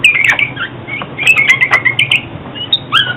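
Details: Oriental magpie-robin song used for trapping and song training: varied whistled phrases and quick chirps around a steady high pitch, with sharp clicks and a low hum underneath.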